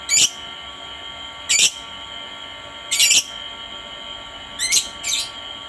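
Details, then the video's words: Lovebird voice meant to coax other lovebirds to call: brief harsh high squeaks in separate bursts, roughly one every one to one and a half seconds, the last two close together and slurring upward. "suara Lovebird yang satu ini sangat jago memancing Lovebird lain agar rajin bunyi"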